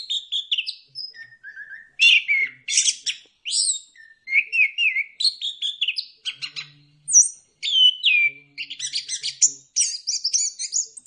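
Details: Long orange-headed thrush song used to spur other birds into singing: rapid alternation of clear descending whistles, scratchy high bursts and trilled notes, delivered almost without pause for over ten seconds.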